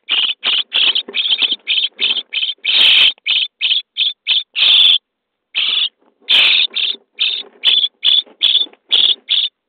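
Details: Day-23 common starling young in a nest box begging as they are fed: a rapid train of short grating rasps with a few longer, louder ones, a brief pause, then more rasps.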